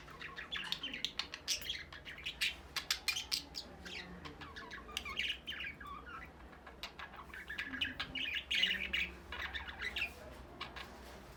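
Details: Budgerigars kept as pets, Australian parrots prepared for breeding, keep up a steady stream of scratchy chirps, clicks and warbled phrases with a busier, louder patch near the end, over a constant low hum.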